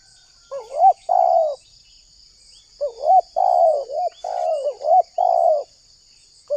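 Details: Spotted dove calling, meant to lure wild doves and make them respond. Wavering short notes lead into longer, falling coos in loose, irregular phrases, over a persistent high-pitched hiss.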